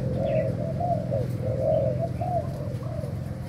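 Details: Breeding Thai-type spotted dove giving repeated mellow coos, each a short purring phrase with a slight rise and fall, in an even rhythm against a steady low droning background.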